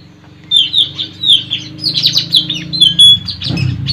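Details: Wild white-rumped shama recorded in forest while tracking birds for trapping: a varied run of clear whistled and warbled notes, rising and falling, over a steady low hum.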